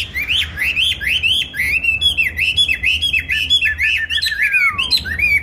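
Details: Caged songbird, kept on steady feed and bought on 19 May 2020, singing a fast run of bright, rising-and-falling whistled phrases in quick succession, ending with a long downward-sliding note; low hum in the background.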